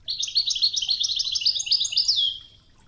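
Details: European goldfinch giving a Wedani Toghza phrase on a training tape with river water: a fluent run of bright, clipped, chattering notes that finishes with a clear falling whistle.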